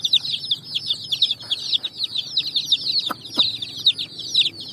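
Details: Brightly coloured chicks jumping and running across sand at evening; loud, busy chorus of thin, descending cheeps from many chicks, with two sharp clicks midway.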